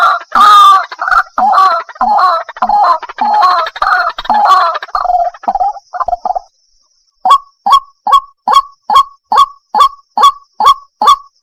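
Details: White-breasted waterhen lure for daytime trapping: first six seconds of raucous, overlapping croaking chatter, a short silence, then a crisp steady series of single harsh croaks about twice a second.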